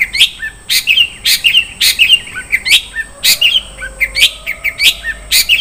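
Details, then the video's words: Rich 'isian' song of a long-tailed shrike: sharp clicks, each followed by twittering chirps, roughly two phrases a second, with a soft low whistle in the middle. "SUARA BURUNG CENDET - ISIAN MEWAH"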